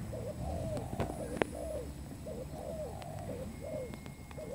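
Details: Lure recording of a spotted dove for trapping: repeated gentle cooing phrases of slurred low notes, a brief tap sound near the start, faint thin tones of other birds in the background.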